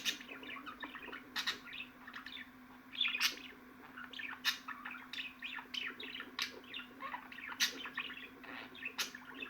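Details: Chattering budgerigars give a run of chirps and squeaky twitters punctuated by sharp clicking bursts every second or so, against a low continuous hum.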